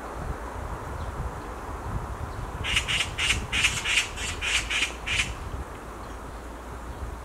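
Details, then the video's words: Black magpie screaming while perched on a tree branch: a burst of about nine harsh, raspy notes given in quick succession, roughly three per second, over a steady low background hiss. "Black Magpie Screams on a Tree branch"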